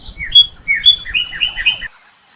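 Cardinal singing a quick run of about eight clear, slurred whistles in under two seconds, mid-high in pitch, over a faint low rumble.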